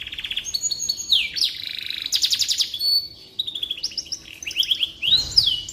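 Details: Tutor recording of a canary for white-rumped shama training, with high rattling trills, sweeping slurred whistles and short pauses between quick phrases, and a low thump near the end.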